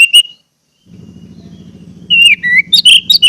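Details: Orange-headed thrush song played so caged birds begin singing: a short whistle, then low rumbling background, followed by a rapid run of varied whistled and chattering notes.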